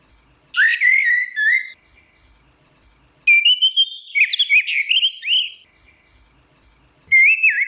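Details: Orange-headed thrush delivering teler song: a descending whistled phrase, a long pause, then an extended jumble of warbled, fluttering notes, and finally a clear rising whistle beginning at the end.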